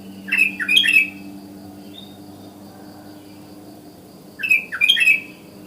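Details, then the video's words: Sooty-headed bulbul in the morning, calling in the natural wild style that draws other bulbuls to join in: two bursts of bright chattering notes, about three quick notes each, at the start and near the end, with a steady low hum throughout. "Burung KUTILANG Ngalas GACOR Suara Isian Alami Memangil Kutilang lain ikut Bunyi"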